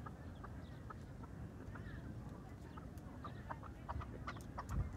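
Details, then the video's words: Farmed chukar partridge calling: a steady series of short, sharp clucking notes repeated irregularly throughout, a few in quick pairs, over a constant low rumbling background. "فارمی چکور کا آواز"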